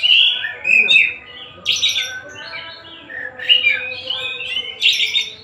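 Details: Oriental magpie-robin, the Tasik-type kacer, singing loud clear whistles and slurred descending notes, broken by three harsh rasping bursts. Quiet pauses fall between the phrases.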